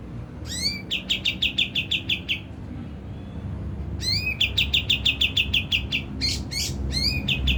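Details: Kapas tembak song used as a lure to make birds excited and sing: rapid series of clear, slightly downslurred chirps, about three per second, each burst opened by rising sweeping notes, with a short pause between bursts.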